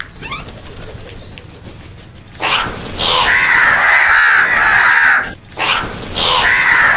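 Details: Crows fighting over food, giving loud harsh drawn-out cawing in two long noisy bursts separated by a short break, after quieter background clatter.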